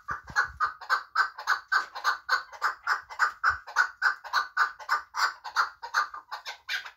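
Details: Chukar partridge from Muminobod, kept as a hunting bird, calling a steady series of sharp chuk notes, almost two each second, evenly spaced and strongly repeated for the whole stretch, with a faint thump near the start.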